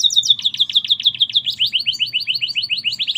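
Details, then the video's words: Canary in full voice singing a merlok-style song: a fast, bright trill of repeated downslurred notes, about three per second, slightly speeding up through the phrase, with a faint low hum beneath. "Kenari merlok gacor"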